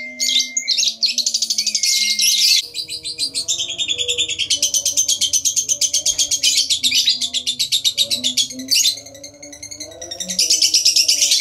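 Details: Caged lovebird giving ngekek, the extended rattling trill played to provoke other lovebirds into singing: dense, high, fast-pulsed buzzing sustained for many seconds with short breaks, backed by faint low tones.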